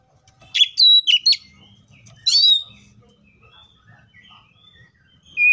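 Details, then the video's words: Oriental magpie-robin singing in the wild: a few loud, sharp whistled and chirping notes in two short bursts, separated by quiet pauses. "THIS COPSYCHUS SAUCARIS BIRD MOST LUXURIOUS SOUNDS LIKE IN THE WILD!"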